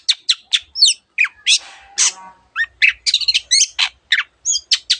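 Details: Vigorous Long-tailed shrike singing, from a training recording with many imitated bird voices: quick varied medley of harsh chatter, whistled twitters and rising squeaks, with a longer grating rasp near two seconds.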